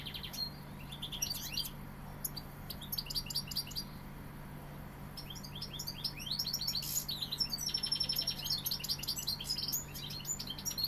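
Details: Song of a European goldfinch from Seville: a long, dense stream of bright, high twittering and tinkling notes, with liquid trills and a brief buzzy burst midway, over a steady low background hum.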